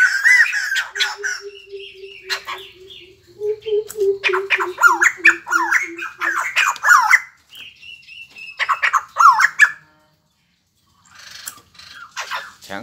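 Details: ['White-crested laughingthrush singing with dancing display: intermittent bursts of squawking, laughing chatter separated by pauses, plus a long series of low, soft pulsed hoots from another bird and a brief whistled tone.']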